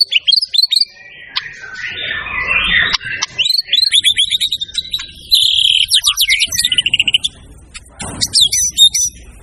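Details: White-rumped shama in a champion-style master song full of varied material: rapid high chips and whistled notes, a rasping buzzy passage, then fast trilled runs and a sweeping high phrase, with brief pauses between bursts.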